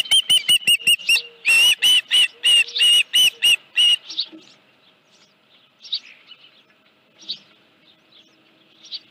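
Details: Osprey calling at the nest on a July 2018 morning, around 9:43, with a headless fish present. Rapid, loud, piercing chirps run for about four seconds, then fade to scattered faint calls and near silence.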